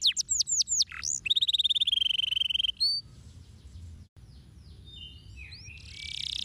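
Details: Canary singing. Quick downslurred notes lead into a fast buzzy trill. After about three seconds the song grows faint under a steady hiss.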